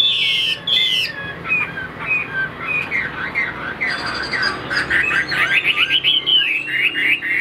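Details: Afternoon song from a caged tam hoàng hwamei, a three-yellow bird kept for its singing: varied whistled notes sliding up and down, then a fast run of tight repeated chips building toward the end.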